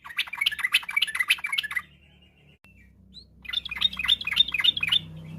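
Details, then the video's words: Afternoon song of a yellow-vented bulbul used as a training lure for kept songbirds; two rapid runs of bright, repeated chirps about three per second, a quiet break between them, and a faint low hum throughout. "pancingan trucukan bahan biar bunyi gacor.! trucuk ropel, trucuk gacor fariasi, trucukan sore hari"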